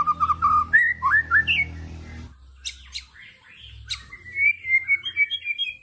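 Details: Rapid 'tembakan' singing by a white-rumped shama (murai batu): a fast series of loud looping whistled notes, a quieter pause with a few sharp clicks, then a run of short chirping phrases.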